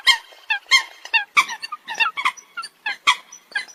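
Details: Eurasian coot calling: short, nasal, clipped notes repeated quickly, roughly one and a half per second, with several birds overlapping in a busy, uneven chorus.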